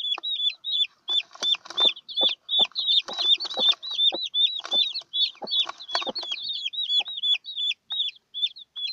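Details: Recently hatched chicks and their broody hen: a busy chorus of shrill, downward-curving peeps repeating in even rhythm, with rustling and scratching in the litter beneath.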